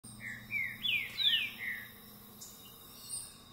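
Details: A Green-winged saltator (Saltator similis), tagged Campo Mourão, gives a short burst of rich, slurred whistled phrases that sweep up and down, over a low steady hum.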